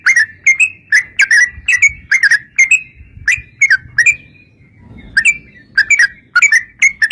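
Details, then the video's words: Yellow-vented bulbul singing in the lively style used to lure other bulbuls into answering: bubbly, slurred clusters of short notes repeated irregularly across seven seconds, with a faint low background rumble. "trucukan gacor TARUNG ROPEL PANJANG pancingan trucukan agar bunyi jadikan burung trucuk gacor NYAUT"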